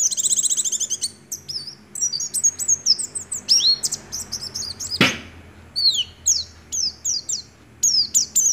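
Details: Oriental white-eye nagen ngecrok song filled with white-rumped shama imitation: an opening rapid trill, then a string of high swooping whistles and chips, with one sharp click midway.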